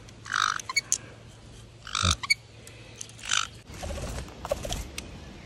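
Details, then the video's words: Caiques out in a forest, giving harsh, broadband squawks in short bursts, four loud screeches spread over about five seconds with quieter scratchy chatter and faint rustling between them. "Caiques im Wald"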